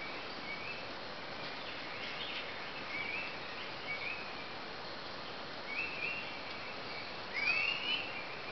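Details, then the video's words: Spot-winged thrush singing short, clear whistled phrases every second or so, ending with a louder swooping whistle, over a steady hiss of forest background noise. "Spot winged Thrush"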